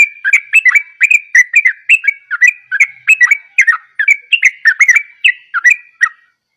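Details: Yellow-vented bulbul singing in gacor style: a fast, unbroken chain of bubbly, liquid whistled notes, roughly three per second, each note dipping and rising, carrying on for over six seconds in a quiet setting.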